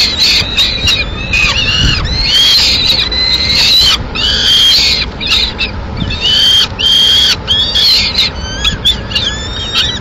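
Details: Peregrine falcon female feeding two chicks with a piece of pigeon at the nest, Madrid, 21 May 2016. Strident, wavering screeches with bent, slurred notes come in close succession, plus faint low rumble.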